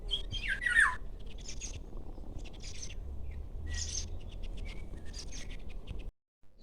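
An American goldfinch gives a run of high, thin twittering notes in short bursts about every half second, over a steady low rumble of wind or distant noise.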